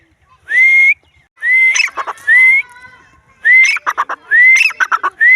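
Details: Wild grey francolin: long, clear whistles sliding upward, alternating with bursts of coarse, rapid notes, the pattern repeated several times in five seconds.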